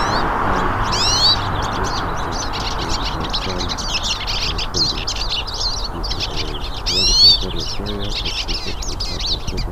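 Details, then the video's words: Several hooded siskins singing outdoors in nature: busy high twittering with occasional loud rising slurred whistles, over faint low murmuring in the background. "VÁRIAS PINTASSILGO CANTANDO NA NATUREZA"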